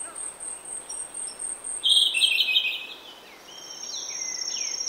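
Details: Grey-backed thrush singing early in the morning in oak woodland: a loud, rich warbled phrase, then thinner whistled notes sliding up and down, over a steady high insect buzz.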